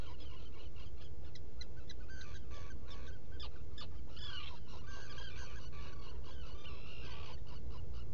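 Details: Black guillemots at a nest burrow in rock crevices on Seal Island NWR, Maine, 20 June 2018 before dawn, burrow camera: dense overlapping high, thin, peeping and whistled notes, some rising, over a steady low rumble of background noise.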